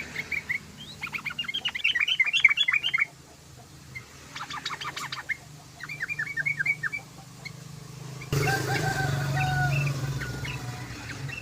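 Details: Yellow-vented bulbul, a bird whose song is used to lure others of its kind, giving several short bursts of chattering, bubbly notes with pauses between, followed by a stretch of louder broadband noise with faint chirps.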